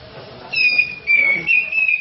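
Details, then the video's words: Grey-cheeked bulbul, a national champion singer used as a lure song, giving long, clear, sustained whistles with slight wavering slides, three drawn-out notes in quick succession over soft background noise. "Kicau Cucak Jenggot gacor Juara Nasional"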